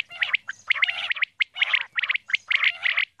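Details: A female common quail (batair) gives rapid scratchy chatter mixed with sharper chirps, delivered in closely spaced bursts.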